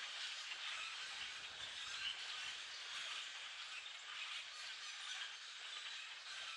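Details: Foraging high in the trees, a flock of hundreds of common grackles produces a steady, thick chorus of shrill creaks and squeals, even in loudness throughout.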